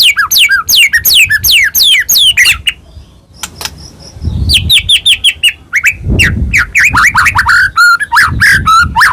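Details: White-rumped shama, Medan type, singing a provoking lure song: rapid falling whistles, a short pause, then choppy repeated notes and varied whistles over soft low thumps.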